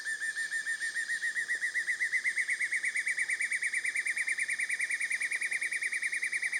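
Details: Black-and-yellow broadbill calling in jungle forest at Hup Takhian, Prachuap Khiri Khan, Thailand, 2025, in the same spot as dusky broadbills; a long, steady, rapid trill of pulsed whistled notes, slightly rising, with forest hum behind.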